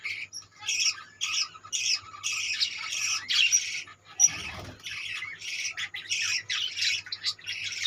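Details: Budgerigar colony: steady, scratchy warbling and squawks from several birds in quick successive bursts, broken by one brief low thud midway.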